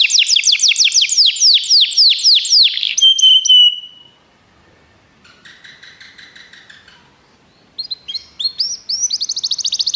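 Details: Canary singing for song training: a loud rapid trill of falling whistled notes ending in a held whistle, a pause with a soft buzzy phrase, then a quieter fast high trill.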